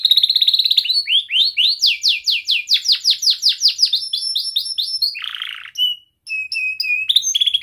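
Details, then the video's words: Young canary with a tight roll, used to tutor other canaries: long series of evenly repeated downward-sweeping chirps, a lower raspy burst, then short clear whistled notes. "Kenari Gacor Muda Rol Rapat Cuit cuit ngeroL"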